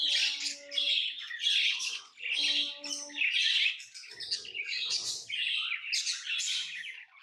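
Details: Pet lovebirds chatter in loud, buzzy, scratchy phrases that swell and fade every second or so, with faint steady low tones in the background and light rustling.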